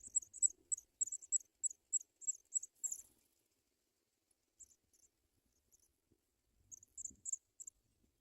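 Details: African pipit babies calling in the nest during feeding with white butterflies: a quick run of piercing high chirps for three seconds, then silence, then a few scattered squeaks and a short final burst.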